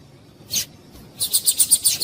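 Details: Female seedeater (papa-capim) call used to stimulate males: one high chip, then a quick, evenly spaced series of about eight bright notes.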